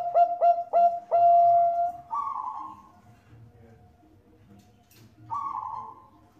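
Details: Bangkok-type zebra dove, used as a lure to make other doves sing and described as a female calling a male. Three quick clipped coos and a long level coo, followed by two hoarse breathy notes, with faint low background hum.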